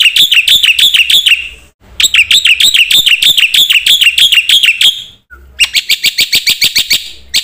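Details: Black-winged myna in busy filler song: a quick, bouncy series of sharp, slightly dipping whistled chirps, about three per second. Two pauses, then a faster run of high chirps.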